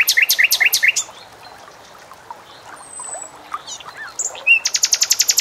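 A bulbul gives a quick burst of five bright, high chirps, pauses with faint notes, then closes with a rapid run of about a dozen sharp, even chirps.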